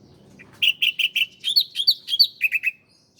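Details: Master recording of a bar-winged prinia (ciblek) for training cage birds: four loud evenly spaced chirps, then a quick series of higher slurred notes and three final chips, clean and close.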